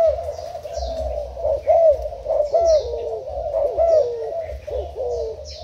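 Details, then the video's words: Spotted dove kept as a decoy bird, Thai stock, cooing loudly in a steady series of low, mellow, slightly bending coos with a soft rhythmic pulse, accompanied by faint higher chirps and a low background rumble. "Cu gáy mồi úp thailand"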